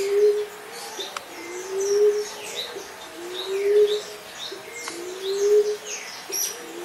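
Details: Common Emerald Dove repeating quiet, low moaning coos at an even pace, roughly one every 1.8 seconds, over a backdrop of chirps and brief whistles from other birds.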